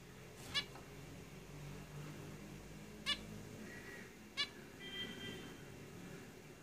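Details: Caged zebra finches producing three crisp, stacked nasal beeps spaced one to two seconds apart, followed by a faint, drawn-out buzzy note near the end.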